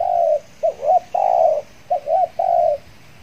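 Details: Trained decoy spotted dove brought out after its moult to lure wild doves: two phrases of a long smooth coo, two short hooked notes, then another long coo, loud and clear.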